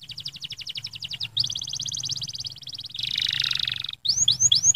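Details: Stimulating canary song to set other canaries singing: a quick stuttering trill, a dense rolling trill, a harsh buzzy passage, then clear upward-sweeping whistles, over a faint low hum.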